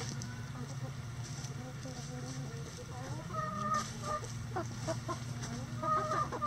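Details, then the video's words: Coop chickens on a sunny day: soft repeated clucks and drawn-out tonal calls, several birds overlapping, over a steady low hum. "Relaxing Chicken Coop Sounds On A Sunny Day"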